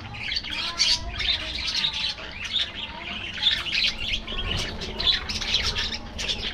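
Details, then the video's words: Several caged budgies feeding in the afternoon keep up continuous bright, scratchy warbling and rapid chirps, rising and falling in loudness over a faint low background hum. "Budgies Enjoying Afternoon Diet"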